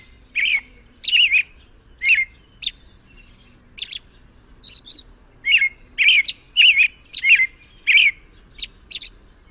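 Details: American robin song: a steady series of short, bright whistled phrases spaced roughly half a second apart, mixed with high thin squeaks, in an otherwise quiet setting.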